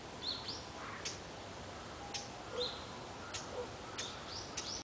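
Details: Red-breasted flycatcher in Munakata, Japan, in 2012, giving faint, high, thin chip notes with dry ticking clicks, spaced irregularly about a second apart over steady background hiss.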